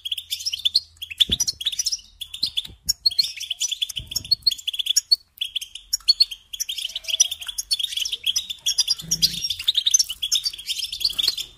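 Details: Goldfinch song meant for training young birds to sing: long, busy stretches of high twittering and tinkling trills with nasal buzzes mixed in, occasional low knocks in the background.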